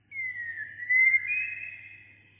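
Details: White-rumped shama, said to sing many voices through the day: one long, pure whistled note that dips then steps slightly higher and fades, over a faint low hum.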